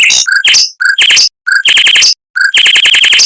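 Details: Mockingbird rolls at speed in long dense bursts, a tutor song for white-rumped shamas: short phrases open with a low whistle and run into quick, harsh repeated notes, broken by brief gaps.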